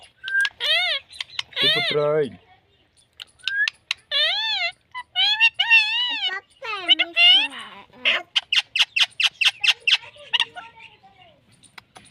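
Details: Pet talking parrot producing a run of harsh, speech-like squawks with wavering pitch, then rapid clicking chatter and short repeated chirps toward the end.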